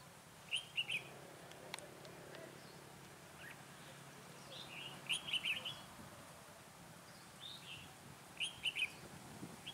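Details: Red-whiskered bulbul kept as a lure for trapping in cold 12 to 15 degree weather; brief bright warbling phrases repeated about every four seconds, with faint softer notes and light background noise.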